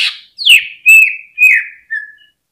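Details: Greater green leafbird song serving as a lure for caged birds; four loud whistled notes, the first falling steeply, the rest long and level, closed by a short, softer note.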